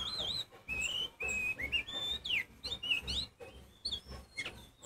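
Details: Kacer poci Oriental magpie-robin singing loudly to provoke rival magpie-robins. Long, bright whistled notes, some level and some sweeping up or down, follow one another in a lively, uneven sequence.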